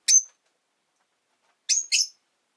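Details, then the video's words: Caged rosy-faced lovebirds with orange faces and green bodies, kept five together by a window, give one sharp high chirp and then a quick pair of shrill chirps after a long silence. "Lovebird Chirping Sounds"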